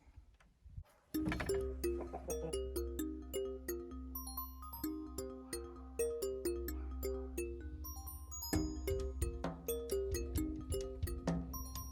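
Chiming bell-like music with a steady low bass and repeated melodic notes plays throughout, with no animal sound heard.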